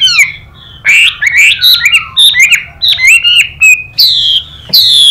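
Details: Chinese hwamei in competitive song with a female calling nearby: a rich, varied stream of loud whistled phrases, swooping down and up, broken by short pauses and one sharp upward note.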